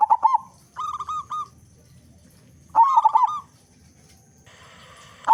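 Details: Big-voiced local zebra dove singing as a lure for other zebra doves: trilled, bubbling coo phrases and smooth held notes, with a gap and a short burst of background noise before the last phrase begins.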